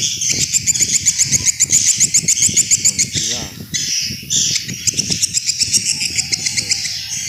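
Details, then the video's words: Swiftlets in an old-fashioned lure recording for attracting them: fast rattling trills of high clicks, a harsher buzzy burst midway, then more clicking trills over low rumbling noise. "Suara Panggil Walet SUPER JADUL"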